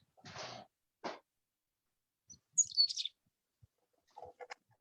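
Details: Non-migratory chickadee at a winter feeder near Finland, Minnesota, on Lake Superior's North Shore, on 16 March 2021, gives a brief run of high, thin chirping notes that slide downward, with speech and rustling around it.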